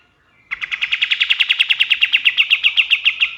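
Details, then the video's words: Male white-shouldered triller's dawn song, used to tutor songbirds: a brisk, even rattle of around twenty high clipped notes over three seconds. "SUARA KAPAS TEMBAK SUBUH"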